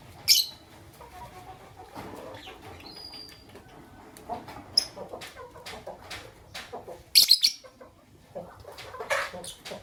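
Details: Fischer's lovebirds, white albino and pastel green, in the morning: scattered sharp, high, piercing chirps, the loudest near the start and a doubled burst late on, among soft clicks and rustling.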